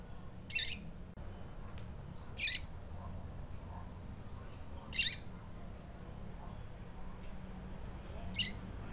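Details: Female double-collared seedeater calling to stir up males: four short, harsh, high chips at uneven intervals of two to three seconds, each abrupt and raspy, over a steady faint low hum.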